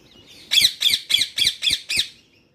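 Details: Pet parrot answering its owner: a rapid series of six loud, harsh, grating squawks, about three per second, each burst strong and raspy, ending abruptly into quiet.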